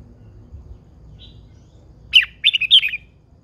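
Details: Red-whiskered bulbul, an old wild-caught female, gives a faint high note, then a loud sharp note and a quick bubbly warbled phrase, all bright and high, over a soft low rumble.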